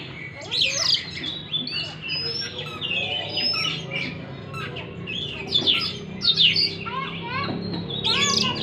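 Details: Oriental magpie-robin song played to stimulate a stressed bird that has stopped singing: dense, varied high chirps, sweeping whistles and twittering phrases packed continuously, over a steady low hum.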